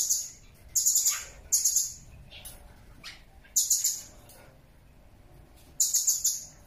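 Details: Blue-crowned hanging parrot, recorded as tutor sound for songbirds: four piercing, high-pitched chattering bursts, each under a second long, separated by pauses of one to two seconds, with faint softer notes in between.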